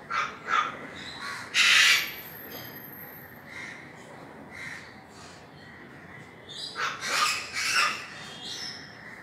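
Sulphur-crested cockatoo giving harsh, raspy screeches, a few quick bursts early on, then a louder cluster after a pause, over steady background hiss.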